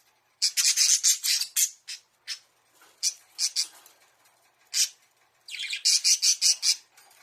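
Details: Caged budgerigar in a small bird house, calling as if asking its keeper to play; bursts of scratchy, chattering calls in quick clusters separated by brief pauses.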